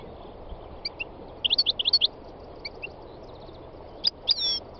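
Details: Wild European goldfinch giving scattered high chirps, then a quick run of bright twittering notes, a pause, and a couple of sharp sliding notes, against a constant low-pitched background hum.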